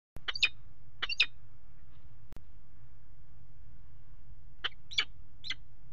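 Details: Peregrine falcons at a nest box on a water tower, mating on the ledge, February 5, 2018: short harsh, rasping call notes in pairs and threes, separated by quiet stretches with low steady hum.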